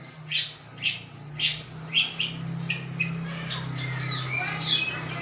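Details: Greater green leafbird singing on Saturday 21 December 2024: harsh, scratchy bursts repeated roughly every half second, giving way to a jumble of higher squeaky chirps, over a steady low mechanical hum.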